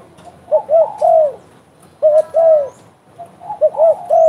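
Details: Spotted dove calling actively: a low cooing phrase of two short clipped notes and a longer drawn-out falling coo, given three times about every 1.5 seconds in a quiet setting.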